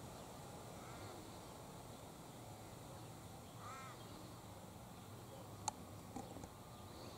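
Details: A Sulphur-crested cockatoo high up in a gum tree on a windy day; two rough, grating calls about three seconds apart, set against constant wind noise with a couple of faint clicks near the end.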